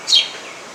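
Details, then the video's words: Sparrow at a home giving a single brief, high, sharp chirp that slides slightly downward, followed by quiet background. "Beautiful Sparrow chirping at my home"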